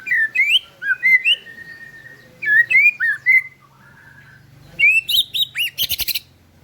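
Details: White-rumped shama used as a lure for birds gone quiet: clear whistled phrases, rising and dipping, in groups of three to four notes, ending with harsher scratchy bursts.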